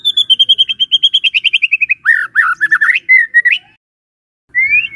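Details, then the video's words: White-rumped shama singing in the morning to coax a silent shama: a long run of rapid notes slowly falling in pitch, then rich warbled phrases and a rising whistle. "Pancingan PAGI-PAGI AGAR MURAI GACOR❗sekali coba murai DIAM langsung bunyi"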